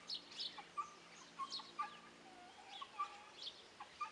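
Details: Pharaoh (Japanese) quail giving short, clipped mid-pitched chirps about once a second, overlapped by thinner, higher twittering notes, as if from several birds.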